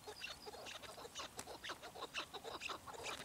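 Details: Chukar partridge calling with quick, clipped, hoarse notes in loose repeated bursts, about two per second, some notes brighter and sharper than others.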